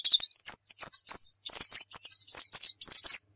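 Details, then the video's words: Pacitan dakun white-eye singing full, rich song: a continuous run of high rising whistles and tumbling downslurred chirps, delivered in rapid, steady succession. "masteran pleci gacor nembak full isian"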